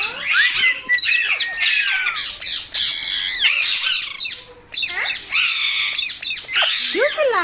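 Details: Green pet parrot, called mitthu, screeching loudly in rapid harsh squawks and rising whistled notes, almost continuous for several seconds.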